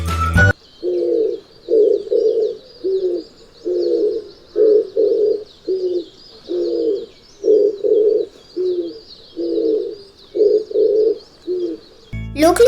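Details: Oriental turtle dove, a winter migrant in Sri Lanka, giving low, hoarse coos in short groups of two to four, phrases repeating steadily, over a thin, high, continuous insect-like buzz.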